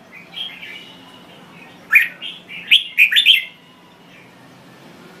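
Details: Thai red-whiskered bulbul: soft warbling at first, then a sudden loud burst of several sharp, sweeping chirps packed close together before the song fades back to quiet, with a low background hum.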